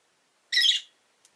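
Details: One harsh, buzzy squawk from a pet rosy-faced lovebird, orange-faced and green, one of five birds caged near a window, followed by a faint tick.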